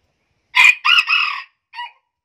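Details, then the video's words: Hybrid junglefowl, said to have the highest-pitched crow in Central Vietnam and the Central Highlands, crows a short, high-pitched crow in three or four clipped parts, ending in a brief tail note, with no other sounds. "Chú Gà Rừng Lai Có Giọng Gáy Cao Nhất"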